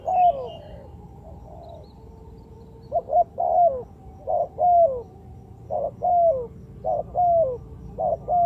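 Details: Spotted dove cooing played to lure birds into traps: repeated phrases of two or three quick clipped coos, each followed by a drawn-out coo that slurs downward, coming about once a second after a quiet start.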